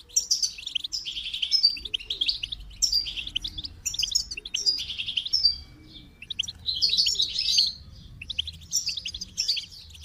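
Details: Goldfinch song delivered in separate bursts of rapid, tinkling twitters about a second long, with short silent gaps and a thin sustained whistle between phrases.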